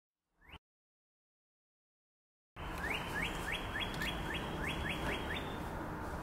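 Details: Red-winged blackbird recorded on 30 March 2024: a brief opening note, then about nine quick rising whistled upslurs repeated steadily, roughly four per second, over a constant low background rumble.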